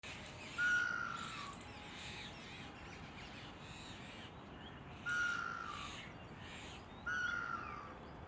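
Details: A red-naped ibis in Gujarat, India gives three loud, harsh, nasal screams, each slightly falling, with gaps of two to four seconds over a steady outdoor hiss.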